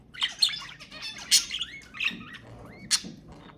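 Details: Budgerigar warbling meant to prompt mating, a short burst of mixed chirps, sharp squeaks and brief rising whistles tumbling quickly together, ending with one loud squawk.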